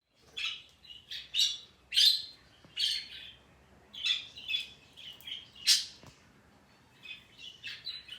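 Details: Pet parrot, recorded indoors, calling on a new sound it has been making for a long time today: a run of short harsh chirps and squawks, about sixteen bursts a minute, high-pitched and uneven, with a quiet room behind.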